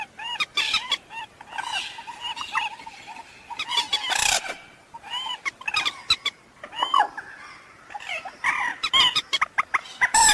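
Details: Waterhen voice prepared as a night trapping lure: rippling, curved clucks and chattering notes in uneven runs, some louder squealing bursts near the middle and end.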